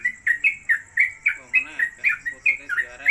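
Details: Caged Yellow-vented Bulbul (trucuk), a newly acquired bird singing in the rapid 'konslet kemedol' style and suited as a tutor for other birds: short bright chirped notes repeated about four per second, with a faint steady high whine behind.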